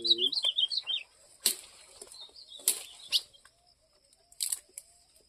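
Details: Ultramarine grosbeak singing in campeada style: a quick run of warbled, slurred high notes in the first second, followed by loud broadband knocks and clatters.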